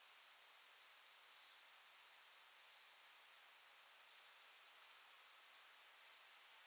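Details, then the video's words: Bohemian waxwing giving four high, thin, buzzy trilled calls spaced irregularly a second or more apart, each short and level in pitch, against a quiet background. "Vogelstimmen: Der Seidenschwanz - Waxwing - Brombycilla garrulus"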